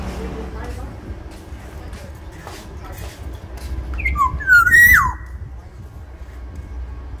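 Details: Murmuring voices and faint sounds precede one rich fluted phrase from a large Sumbawa Black-naped oriole, a few sliding notes leading into a held high whistle that plunges at its close.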